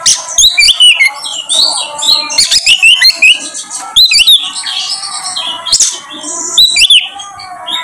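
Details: Oriental magpie-robin (Copsychus saularis) song used as a lure to prompt another bird to sing: a rich, fast stream of varied whistles, rising and falling notes and sharp chirps, with barely a pause throughout.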